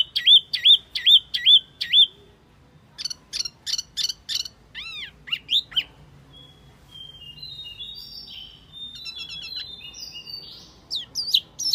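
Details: Wambi mini lure recording: rapid looping high chirps, arched whistled notes, then a softer stretch of thin twittering and wavering whistles before sharp notes return.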